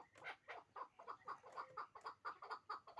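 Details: Breeding pair of hybrid chukar partridges: short, throaty clucking notes repeat about every quarter second, even and rhythmic, sounding like a low chuk-chuk-chuk.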